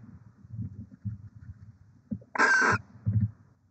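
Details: Barn owls nesting in Oceanside, California, with six eggs, 23 December 2023: one short, rasping, broadband screech rising out of soft low rustling and thumping noises around the nest box.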